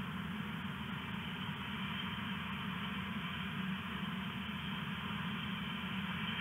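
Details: Steady low engine rumble, like an idling vehicle, with a broad mid-range hiss and no animal calls.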